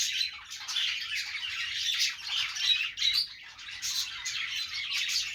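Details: Lively budgerigar warbling, described as happy: dense chirps, squeaks and harsh notes pour out continuously, rising and falling in loudness every second or so.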